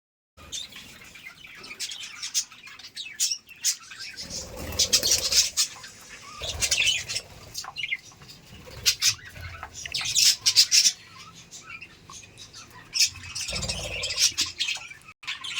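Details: Budgerigars chatter in quick, scratchy high chirps, with bursts of fluttering wings and rustling.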